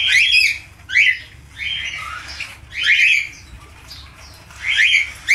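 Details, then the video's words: Budgerigar, falk type, producing spaced bursts of harsh squeaky chatter about once a second, with quieter scratchy notes between. "SIULAN ISTIMEWA FALK/PARKIT AUSTRALIA."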